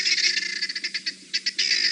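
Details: Guineafowl alarm calling at a resting male leopard they have just spotted, Sabi Sand, South Africa, August 2017: harsh rattling bursts of rapid clicking notes, broken by short pauses.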